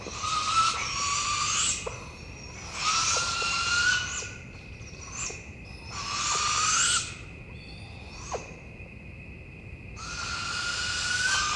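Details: Young owls at night give harsh, hissing screeches in long rasping bursts, about one every three seconds, over a steady high insect-like hum; these screeches are thought to be begging calls.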